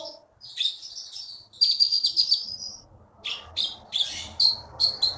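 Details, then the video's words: Prize-winning Blue-winged Leafbird from Bangka singing a sustained high warbling phrase, a short pause, then a fast series of sharp repeated chirps over faint low background noise. "KEETY BURUNG JAWARA FULL GACOR"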